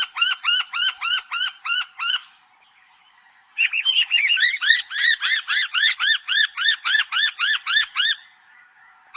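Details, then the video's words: A native Australian honeyeater, the noisy miner, repeats bright arching notes quickly and steadily. A run of evenly spaced notes is followed by a gap, then a longer, busier burst with overlapping calls. "Noisy Miner - Bird calls"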